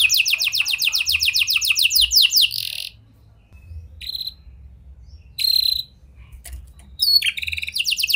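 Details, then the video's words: Canary singing in a prenjak and lovebird style, meant to stimulate jammed canaries to sing: a loud, rapid, descending rolling trill, short buzzy bursts after gaps, then a quick whistled flourish and a renewed trill. "Pancingan Kenari Gacor Cengkok Prenjak Lovebird! Ampuh Buat Memancing Kenari Macet Agar Gacor"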